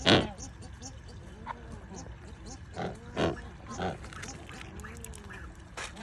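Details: A Coscoroba swan (Coscoroba coscoroba) gives soft, nasal calls that rise and fall in low arcs, repeated every second or two, over sharp knocks and background murmur.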